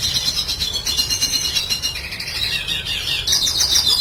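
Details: Continuous high chattering warble of a red siskin, meant to coax cage birds into singing: buzzy twitters and rapid trills blending together, growing louder near the end.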